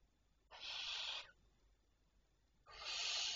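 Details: Barn owls calling at night, 25 May 2023 at 01:51: two long, steady, harsh hisses, each lasting nearly a second, separated by a quiet pause of about a second and a half.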